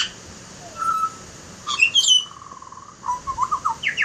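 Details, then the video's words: Butcherbird giving a clear level whistle, then a bright high warbled phrase, then a run of five or six short rising whistled notes. "Butcher bird has quite a"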